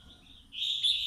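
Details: A young red-whiskered bulbul, caged two months, sunning in the morning, gives a brief, bright, slurred whistle that swells suddenly halfway through, high and clear over a faint low hum.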